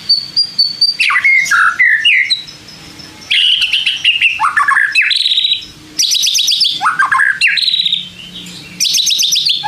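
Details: White-rumped shama song used as a lure to provoke lazy shamas into singing back: rich, rapid phrases of high whistles, sharp downward sweeps and buzzy notes in bursts, with short pauses between bursts.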